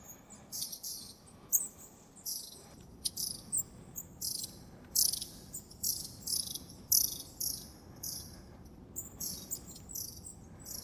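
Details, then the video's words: Wild long-tailed tits in January, Moscow Region, near the Zvenigorod Biological Station: soft, short, buzzy high-pitched calls repeated steadily, roughly every half second, in a quiet winter setting. "Длиннохвостая синица. Long-tailed Tit. (Aegithalos caudatus). Январь. January."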